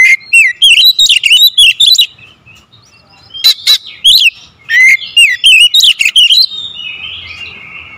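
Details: Magpie-robin lure song in the 'tembakan rapat' style, dense rapid-fire whistles and sharp chips tumbling up and down in pitch, broken by a short silence before another fast burst, then fading.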